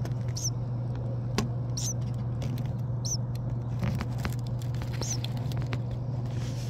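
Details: Springtime brood of newborn native bird chicks inside a dryer vent, parents out foraging; four short high chirps spaced over a second apart, with a constant low mechanical hum and faint rustling beneath.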